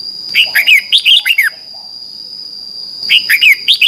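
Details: Red-whiskered bulbul in competitive morning singing, a lure recording: a quick string of about six bright whistled notes, then silence and a second phrase starting, over a steady high tone.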